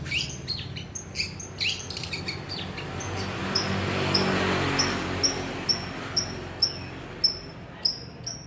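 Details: Long-tailed shrike imitating a lovebird. A chattering burst of mixed high notes opens, then clean, high, whistled chips repeat steadily about twice a second over faint background noise.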